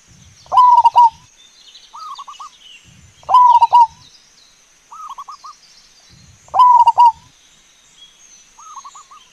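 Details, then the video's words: Wild local zebra dove in full song, used for luring others: three loud trilled, rolling coo phrases roughly every three seconds, answered by quieter clipped cooing phrases, over a constant high hiss. "Perkutut Lokal GACOR di ALAM LIAR"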